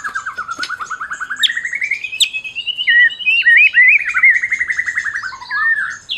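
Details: Prize-winning Medan white-rumped shama (Copsychus malabaricus) song: a long, fast, rattling trill climbing steadily in pitch, broken by loud, varied whistled phrases that rise and dip.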